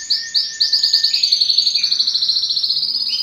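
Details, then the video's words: Yellow canary pouring out a brisk run of high chirps that merge into a continuous buzzy trill, bright and rapid. "yellow canary singing"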